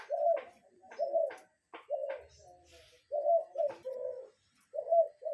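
A cuckoo gives low, hollow two-note coos, the second note dropping, repeated every second or so, with a few sharp clicks and knocks between them.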